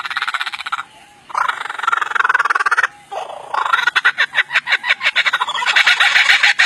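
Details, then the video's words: Lyrebird mimicking sound effects and other birds: harsh, buzzy bursts broken by short pauses, then a fast run of sharp pulsed notes, about three per second, ending in a dense rattling stretch. "The Incredible Lyre Bird does Sound Effects"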